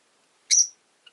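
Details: Rosy-faced lovebird, a pet bird, giving a single short, harsh high chirp lasting about a quarter second, followed by a faint tiny click; otherwise quiet.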